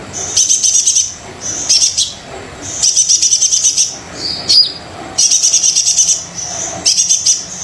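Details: Brown-throated sunbird singing vigorously, as a prompt for birds reluctant to sing: long, rapid, rattling trills of high notes repeated in bursts, broken by one sharp falling whistle midway.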